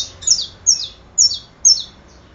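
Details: Saffron finch giving four bright, high notes, each sliding steeply downward, spaced about half a second apart over quiet background.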